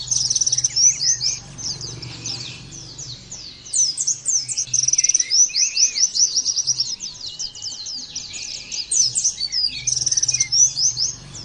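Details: Oriental white-eye in a long nembak-style burst of song: dense, rapid high twittering and trills, with brief pauses near two and ten seconds, over a faint low hum.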